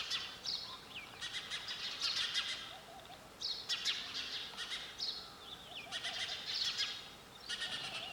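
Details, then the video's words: Sparrow sound: repeated bursts of sharp, high tweets roughly every one to two seconds, some bursts led by a short falling whistle, over a faint lower trill. "Sound of sparrow bird"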